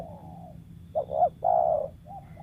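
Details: Single cooing phrase from a wild spotted dove kept as a lure: a faint trailing coo, then two quick notes and a long steady low coo.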